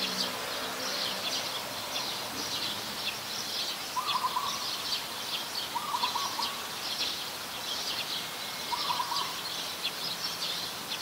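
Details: Coppersmith barbet, a very common resident, recorded in Ubon Ratchathani, Thailand, on 2 January 2021: three short pulsed, low tonk-like bursts spaced about two seconds apart, set against a constant high-pitched buzzing background.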